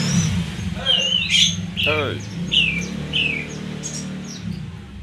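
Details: Oriental magpie-robin with brief whistled and down-slurred notes at an irregular pace, partly overlapped by a human voice and low traffic-like rumble.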